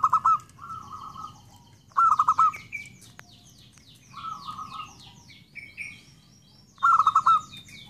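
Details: Zebra dove song: short bursts of rapid, low staccato cooing pulses, five or six notes per burst, alternating with softer drawn-out phrases, over a busy background of high chirps and descending twittering from other small birds.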